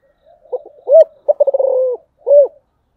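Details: Spotted dove calling, giọng thổ voice style. Soft introductory notes lead to a clear rounded coo, then a quick trembling run merging into a sustained low coo, and a last detached coo after a short pause.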